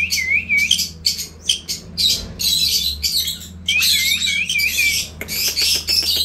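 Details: Indian ringneck parrot uttering bursts of harsh, high squawking chatter broken by brief rising whistled notes and sharp clicks, set against a faint continuous low hum.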